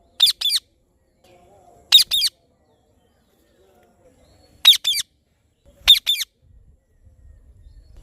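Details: Indian ringneck parrot chirping in sharp, scratchy double screeches, four pairs spread over several seconds with long silent gaps, the background almost completely quiet.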